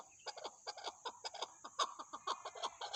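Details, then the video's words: Chukar partridge calling in short, sharp clucks about three or four per second, some notes brighter and harsher, against a continuous high-pitched background tone. "chakor ki awaz zark awaz chakor birds"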